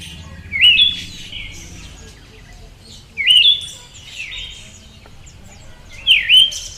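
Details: Female Siberian thrush calling: short high wavering whistled notes with a brief buzzy tail, given about every two to three seconds, three calls in all, over quiet low background hum.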